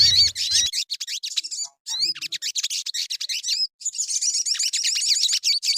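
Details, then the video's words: Sogon bird song as a lure to make birds sing: continuous quick high chirps and slurred whistles in a rapid chatter, with a brief gap before a faster run of tweets. "Suara pancingan burung sogon"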